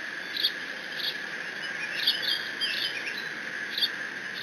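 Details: Young bald eagle alone in a Decorah nest on a live cam, June 30, 2017, squeeing while mantling a fish its father delivered; short high squeaky chirps in scattered bursts over a steady electrical hum.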